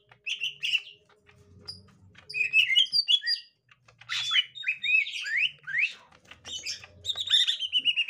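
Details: Green leafbird of the gotri type meeting a young wild green leafbird: bursts of sharp chirps and rising, slurred whistles in quick jumbled phrases, separated by short gaps, over a faint low hum.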